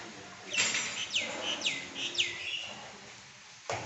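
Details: Pekin robin, a highly prized bird, giving four quick high whistles, each sliding sharply downward, spaced about half a second apart over faint background hiss.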